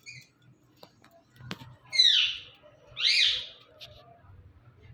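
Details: Indian ringneck parakeet, a pet bird, giving two loud harsh squawking calls with sweeping, downward-curving harmonics, about a second apart, with faint background noise.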